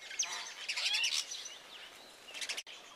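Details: Brahminy myna attacking house sparrows at their nest, an attack lasting three days; harsh, noisy chattering bursts mixed with short whistled slurs for about a second, then a quieter pause and a brief second burst near the end.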